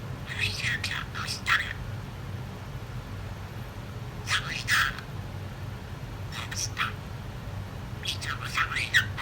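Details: Talkative female budgerigar that has picked up a sneeze. Clusters of quick, raspy chirps and chatter come in groups of two to four, with gaps between groups, against a steady indoor background hum.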